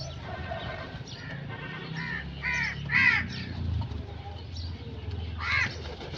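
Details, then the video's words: Run of quick, raspy crow caws in a cluster, followed by one more after a pause, over low background rumble and faint distant chirping. "Crow sound effects 🔥 | Relaxing and natural bird sounds"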